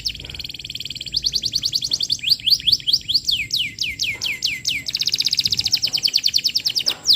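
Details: Persistent canary lure song for teaching juveniles, varied and energetic: a quick rolling trill, a run of swooping slurred whistles, then another fast dense trill, with brief gaps between phrases.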